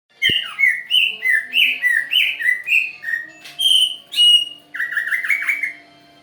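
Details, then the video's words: Greater green leafbird song used as a lure to provoke a response: a quick run of clear, slurred whistles near the upper-middle range, some rising and some falling, repeated about three times a second, ending in a buzzier warbled phrase. "pancingan burung cak ijo di jamin ngerespon"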